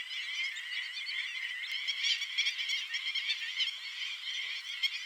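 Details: Black-winged stilts, a large flock in flight, calling together: a thick wall of high, repeated barking notes, many birds overlapping with frequent sharp peaks and no pause.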